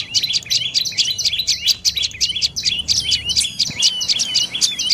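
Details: Quick trilled series of shrill notes from a dark-necked tailorbird in lower northern Thailand, given in a steady stream like a repeated 'chiri-it', loud and clear over a quiet background.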